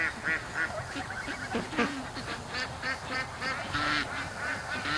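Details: A quieter, distant chorus of free-range ducks on their Sunday morning rush: many short, overlapping nasal quacks with scattered louder calls.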